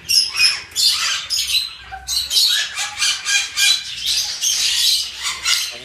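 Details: African grey parrot at a bird zoo in Korea: a rapid series of harsh, raspy squawks and screechy chatter, dense and continuous, with bursts roughly every half second and a few brief whistled notes.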